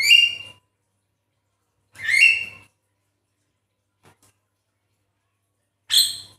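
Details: Javan myna lure sound meant to make a quiet myna sing. Three loud, harsh, harmonic calls spaced about two and four seconds apart, with silence and a faint low hum between them.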